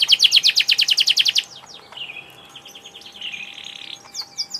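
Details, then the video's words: Canary singing a fast pulsed trill of bright notes for over a second, followed by softer warbled and whistled phrases and a few high chirps. "Kenari gacor"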